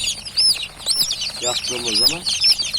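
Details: Newly hatched chicks cheeping, clear high arched peeps repeated about twice a second over a soft chorus, with a man's short spoken phrase in between.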